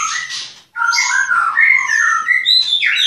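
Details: White-rumped shama kept at a bird-breeding farm in Klaten: loud, varied whistled song of short slurred notes and buzzy phrases, briefly pausing then resuming with rapid mixed rising and falling whistles.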